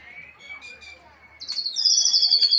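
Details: Aceh-type white-rumped shama performing its imitation repertoire; a thin, drawn-out level whistle is followed by a sudden loud, high, buzzing trill that carries on steadily to the end.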